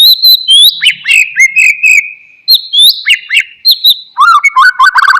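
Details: Oriental magpie-robin, played to rouse a quiet bird into song: high thin whistles mixed with quick descending notes, repeated phrase pairs, ending in a fast warbling chatter at lower pitch.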